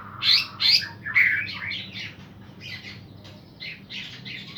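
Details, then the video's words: A pair of energetically singing green leafbirds, used to provoke and stir up a subdued bird. The notes are loud, squeaky and chirpy, in quick bursts: strong phrases in the first second and a half, then softer, rapid twittering. Background is faint and steady. "ijo sepasang gacor buat mancing emosi burung drop"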